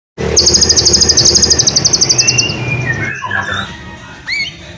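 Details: White-rumped shama in full, lively song, used to prompt sluggish shamas into singing: a fast, even trill of high sharp notes for over two seconds, then softer scattered whistles over a faint background hum.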